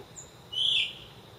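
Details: A Brown-eared bulbul singing at dawn, around 4:20, on a home balcony, as it does every morning, gives one loud, shrill whistled note that dips slightly at the end, about a third of a second over a faint, steady hiss.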